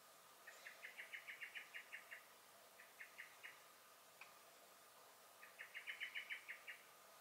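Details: Common blackbird (Turdus merula) in a garden on 23 May 2021, giving alarm calls: sharp, clipped chinking notes in quick rattling bursts, a long run of about a dozen, a short trio, then another fast series.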